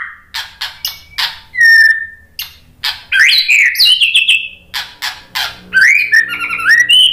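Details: White-rumped shama lure song used to make other birds respond and sing: sharp clicking notes and clear whistles mixed with rich, rapidly shifting warbled phrases, varied and loud throughout.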